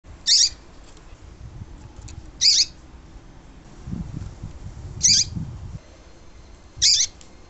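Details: A Double-collared seedeater, in a recording used to stimulate silent caged birds to sing, gives four brief, very high, sharp notes about two seconds apart, over a faint low rumble.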